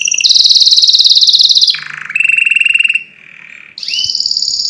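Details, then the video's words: Powerful canary tours: a long high buzzing trill, a drop to a low rolling trill, a mid-pitched pulsed tour, a brief soft pause, then a rising high trill. "أقوى تغريد كناري لتسميع الطيور"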